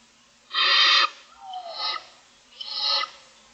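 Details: Barn owl owlets, six in the nest, calling for food on a morning nest-camera recording: one strong, harsh hiss, followed by two softer rasping hisses with a faint rising squeal between them.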